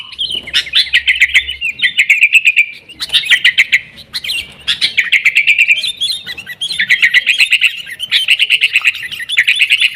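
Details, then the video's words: Energetic sooty-headed bulbul song, used as a lure and master recording for caged birds: dense, rattling trills in repeated bursts of about two seconds, each ending in a gap. "kutilang gacor TARUNG buat pancingan kutilang agar bunyi jadikan burung kutilang gacor"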